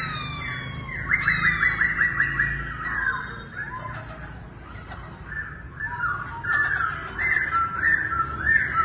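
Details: Laughingthrush performing a circus-like dance gives rapid rolling whistled phrases over a busy, noisy background, with a strong start, a quieter middle and renewed bursts of bright notes near the end.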